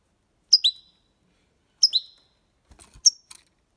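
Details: European goldfinch singing copia Málaga style for young birds to learn; two bright paired high chirps over a second apart, followed by faint clicks and a weaker chirp.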